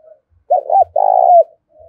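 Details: Spotted dove, sound played each day to get newly caught birds cooing: one phrase of two brisk looped notes followed by a drawn-out purring coo, with soft faint notes before and after.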